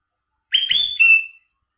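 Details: Sooty-headed bulbul, isian song filled with borrowed material: a single rich whistled phrase of rapid slurred notes ending in a steady fading high whistle, with silence around it.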